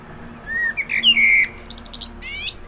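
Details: A common blackbird (Turdus merula) sings in the wild: a low, mellow fluted phrase, then a high, squeaky twittering flourish and a short scratchy note to finish.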